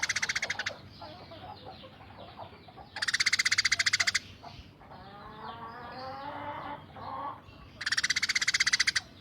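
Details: Eurasian tree sparrow, tame, firing coarse rapid 'tembakan' rattles: short harsh bursts of fast buzzy notes recurring every few seconds, with softer warbled chirping and squeaks between them.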